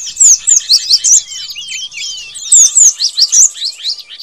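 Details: Cinereous tit lure recording giving rapid, high, thin chirps and sharp down-slurred notes in busy overlapping bursts.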